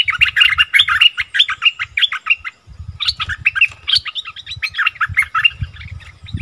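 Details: Wild striated bulbuls quarrel, recorded 8 February 2021: dense, overlapping bubbly chatter of rapid mid-pitched notes in two long bursts, with low thumping noise beneath.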